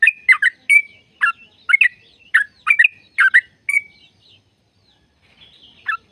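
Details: Sooty-headed bulbul song in the long-trill style used to encourage caged birds: a quick burst of bubbly, warbled notes for about four seconds, near silence, then one faint note.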